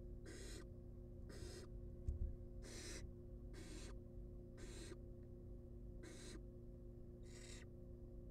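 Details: Wild barn owl nestlings being fed inside a nest box; seven long, noisy hissing rasps at fairly even intervals of just over a second, steady low drone beneath.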